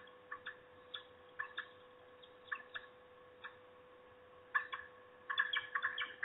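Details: Peregrine falcon at its nest, the female on guard as an intruder appears, giving harsh clipped calls in scattered pairs and singles, then a fast rapid-fire burst of repeated notes toward the end, over a faint steady hum.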